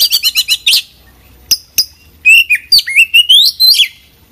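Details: Oriental magpie-robin in lively song full of fill-ins: a quick stuttering series of high chirps, two sharp clicks, then a rising chain of piercing, twisting whistles.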